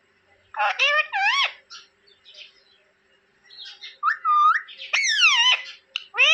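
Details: Parrot kept as a pet and said to talk in Hindi, saying papa: clipped, raspy word-like syllables with looping pitch bends, in two groups separated by a soft murmur, the last phrase louder and falling.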